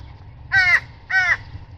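Two harsh, hoarse caws from an American crow, each about a quarter second long, spaced roughly half a second apart, over a faint low background hum.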